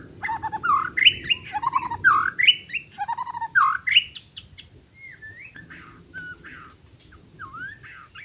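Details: Wild white-rumped shama singing in forest during bird trapping, Lombok mentioned: four loud bursts of bright rising whistles with chatter, about one per second, then softer scattered slurred whistles.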